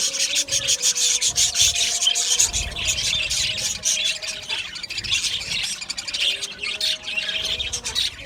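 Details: Aviary colony of Australian budgerigars chattering continuously, a thick layer of high squeaky chirps and warbles with short squeals, and a faint steady hum in the background.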